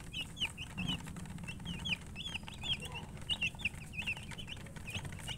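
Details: A brood of baby chicks calling, clear high peeps falling in pitch, bunched in quick runs then pausing, over a low background hum with a soft thump early on.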